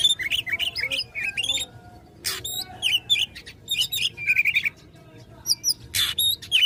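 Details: Oriental magpie-robin, said to be fighting and provoking rivals, pours out fast twittering phrases of sweeping whistles and chirps, broken by two harsh noisy bursts and short pauses, with high rattling trills toward the end.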